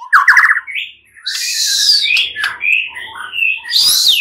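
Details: White-rumped shama song meant to coax a mute shama into answering; a quick rising whistled trill opens, followed by loud harsh buzzy and squawking phrases sweeping up and down.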